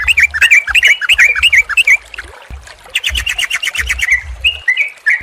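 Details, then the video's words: Yellow-vented Bulbul song aimed at restarting a bird that has stopped singing: quick looping whistled phrases, a brief lull, then a burst of rapid stepped notes, over clicks and low rumbling. "SUARA TRUCUKAN KOMBINASI YANG JITU UNTUK TERAPI TRUCUK MACET BUNYI DAN STRESS, PANCINGAN RELAKSASI."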